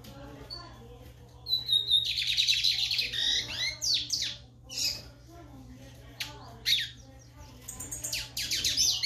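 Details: Lined seedeater singing vigorously: a rapid, jumbled run of high buzzy trills and sharp chips, with bursts coming and going, over a steady low electrical hum.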